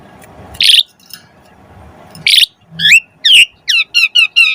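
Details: Lure song of an Asian pied starling meant to make other starlings sing quickly; two harsh rasping bursts are followed by a run of bright, rapid, down-slurred whistled notes.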